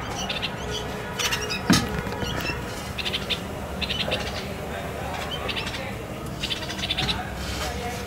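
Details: Red-vented bulbul feeding its chicks at the nest just before the young depart; short bursts of sharp, high chirps come in irregular clusters over a steady low background rumble.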